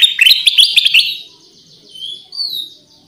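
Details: Lively lure song of Pycnonotus melanicterus, known as kutilang emas: a fast stuttering volley of loud chirps for about a second, followed by softer drawn-out whistles, one rising and one falling.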